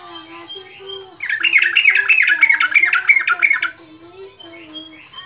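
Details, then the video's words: Yellow-vented bulbul song used as bait so kept birds join in and sing: a dense, bubbling run of quick chattering notes lasting about two and a half seconds, with softer whistled notes before and after. "pancingan trucuk untuk trucuk pemula"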